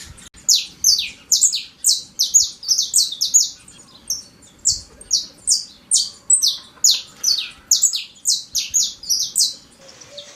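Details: Wild Saffron Finch singing loudly in nature: a long run of sharp, high chirped notes, each a quick downward slur, repeated about twice a second in lively irregular bursts, with a faint low tone near the end.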